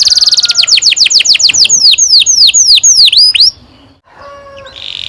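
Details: Lively canary song meant as a training lure: a run of high, swooping downward whistles gets slower and wider, stops abruptly, then a soft buzzy note follows after a short silence.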